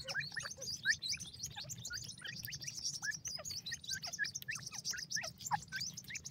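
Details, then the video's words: Several grey francolin chicks peeping together, with short rising and falling whistled chirps mixed with a dense layer of high twitters and a constant low hum. "gora teetar baby ki khuraK,Pheasant bird beautifull chicks,lal teetar baby"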